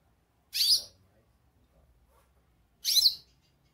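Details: A goldfinch calling gives two bright, twittering calls, high and quickly warbled, about two seconds apart, against a quiet background.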